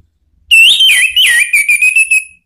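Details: Orange-headed thrush provoking song from Indonesia: a loud, clear whistled phrase with fluid slurs and dips, breaking into rhythmic pulsed whistles over about two seconds.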